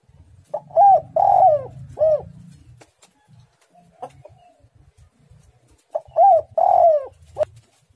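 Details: Spotted dove singing actively with a tight, pressing style: two phrases of short mellow coos with a longer falling middle note, a faint low rumble and a few soft clicks between them.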